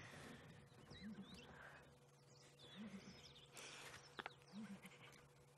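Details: A male southern ground hornbill, seen calling with others in Sabi Sand, South Africa, at sunrise on 16 October 2016, gives deep, booming double hoots about every two seconds, over thin chirps of smaller birds and a steady hum.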